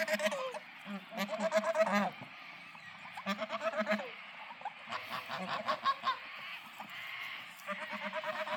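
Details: On a farm, geese honk happily in rhythmic volleys: strong, harmonic, trumpeting notes grouped in runs of several honks, pausing briefly between runs.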